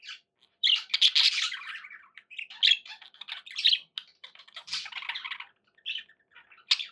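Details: Domestic budgies chatter and squawk: a loud rasping burst after a brief silence, followed by uneven runs of buzzy warbles and short chirps from more than one bird.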